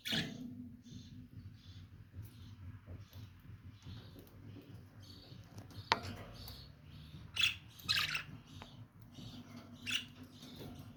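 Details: Lovebirds chatter steadily with a soft twittering, broken by loud piercing chirps in a cluster around 7 to 8 seconds and another near 10 seconds.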